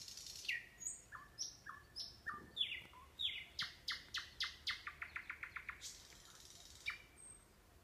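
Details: Nightingale from the Kurchatov district, Kursk Oblast, Russia: a series of descending whistled slurs, then an accelerating rattle of sharp repeated strokes, ending in a faint whistle.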